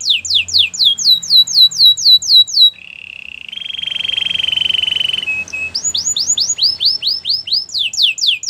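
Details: White canary singing: a rapid series of sharp, downward-sweeping whistled notes, about four per second, breaking into a long buzzy, rattling trill, then returning to quick falling sweeps.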